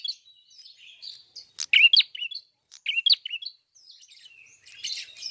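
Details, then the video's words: Red-fronted prinia, locally called prenjak kepala merah or klawu, singing with open beak: high, scratchy chirps and short twittering phrases with brief rising whistles, in quick bursts separated by short pauses. "BUKA PARUH FULL GACOR BURUNG PRENJAK KEPALA MERAH/KLAWU"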